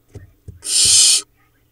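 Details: Barn owl nestlings about four weeks old (hatched 8 June 2021, recorded 7 July 2021) in a nest box in Israel's Hula Valley, four nestlings remaining, preening: a single harsh, breathy hiss of about half a second after a few soft low thumps.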